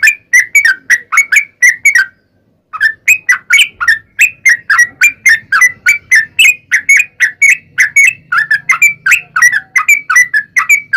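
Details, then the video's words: Sooty-headed bulbul in fighting-style long song used as a lure for other bulbuls: rapid chattered bright notes, a half-second silence after two seconds, then the fast series resumes with faint low hum behind. "KICAU SUARA trucukan gacor TARUNG ROPEL PANJANG"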